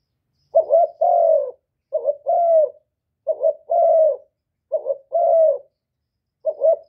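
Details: Captive spotted dove cooing fast to stir rival birds: low, mellow two-part phrases, a brief doubled note then a drawn-out falling coo, given roughly every 1.4 seconds, five phrases with nothing else audible.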